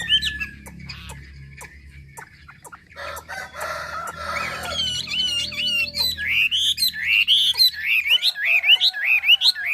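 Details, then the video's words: Hà Giang hwamei song that starts quiet and noisy with clicks, then becomes loud, rolling, wavy whistled notes repeated rhythmically about every half second. "Mi đẹp Hà Giang. #713 bộ đẹp hót hay cực víp tiếng hót thiên nhiên, luyện cho chim hót hay."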